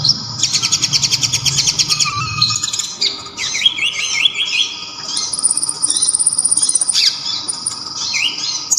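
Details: Olive-backed sunbird (local konin) song, loud, sharp and clear, mixed with kapas tembak filler for training songbirds. A long fast high rattle gives way to rising slurred whistles and thin sustained high notes over a faint hum.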